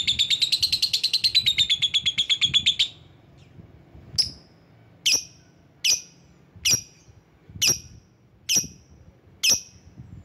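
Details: Lovebird used as a lure for rivals: a fast, high chattering trill for three seconds, then a pause, then a slow series of sharp single chirps repeated about every second.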